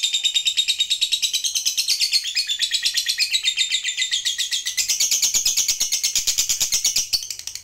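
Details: Shrill 'ngekek panjang' chatter of a fighter lovebird, used to provoke other lovebirds into long trilling, keeps up a dense, rapid pulse train that rises higher partway through, then fades at the end.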